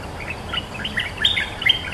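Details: Brief excerpt of a cream-vented bulbul, the territory owner answering a lure, giving a fast string of bubbly, slightly slurred chirps with two sharper accented notes toward the end.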